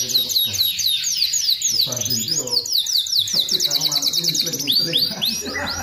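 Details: Canary delivering long, varied song used for training other canaries: dense bursts of rapid high trills and chirps, with a sustained run of fast repeated notes in the middle, almost without pause.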